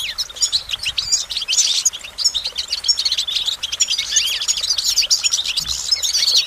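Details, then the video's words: Goldfinch song, a motivating performance of bright, rapid chirps, slurred whistles and liquid trills, rising and falling in pitch and running continuously. "Goldfinch Motivation Performance"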